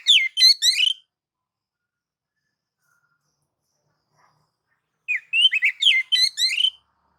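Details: Oriental magpie-robin song in nagan and ngobra mode, used to provoke other magpie-robins; two bursts of quick, high, twittering whistled notes about a second long, separated by about four seconds of silence.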